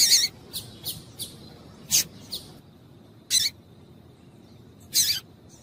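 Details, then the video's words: Female double-collared seedeater call for prompting males to sing: a few bright, high chips spaced irregularly, including two louder, longer buzzy notes after pauses, with a faint steady high tone audible between them. "Piado de Fêmea de Coleiro para Esquentar Coleiro"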